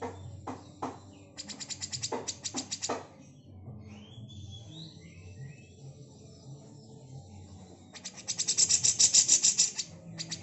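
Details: Harsh besetan chatter from a female grey-cheeked bulbul, recorded as a master for training magpie-robins: short bursts of rapid buzzy pulses in groups, a pause with faint distant chirps, then a longer fast rattle near the end.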